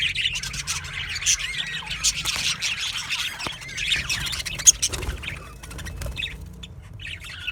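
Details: Aviary colony of budgerigars giving a mix of squawks and chirps, a loud chattering stretch early on that thins toward the end into scattered sharp calls over low background hum.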